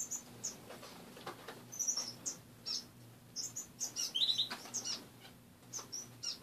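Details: Pet finches in a cage indoors in the morning, short high chirps and a brief trill from a few birds, spaced irregularly, with faint fluttering and a low steady hum.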